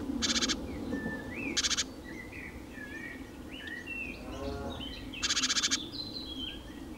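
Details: Eurasian magpie by a small pond in central France's Nouvelle-Aquitaine region, late April 2017, giving three bursts of fast, grating chak-chak rattling, while other birds sing varied whistled phrases in between.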